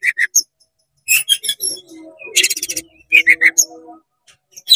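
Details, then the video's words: Oriental magpie-robin singing fast and spreading its tail, its agitated song meant to rile other magpie-robins; bright varied notes in quick bursts, chirps, sweeping whistles and a dense rattling trill over faint low tones. "CEPAT GACOR BUKA EKOR DONGKRAK EMOSI KACER KONSLET BIKIN KACER LAIN PANAS"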